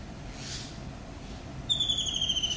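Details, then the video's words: Morning call of a kingfisher, a single shrill high trill that starts sharply and slides gently downward, cut off at the end, with quiet background hiss. "Kingfisher calling in the morning"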